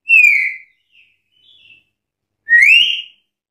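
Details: Black-capped lory calling to challenge rivals: a loud, slightly falling whistle, two faint soft notes, then a strong upslurred whistle, all clean against silence.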